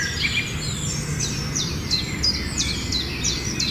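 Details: Myna repeating short, high chirps that drop sharply in pitch, about three per second, over a steady hiss of outdoor background noise.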